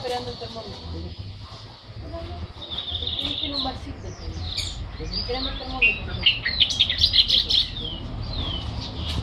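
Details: Newly arrived great-tailed grackle in song, with squeaky whistled slides and a rapid burst of sharp high chirps near the end, against a murmur of voices and low background noise.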